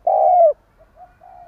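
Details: Spotted dove used as a decoy, stuttering coo: one loud, long, level hollow coo, then a few faint softer coos trailing after.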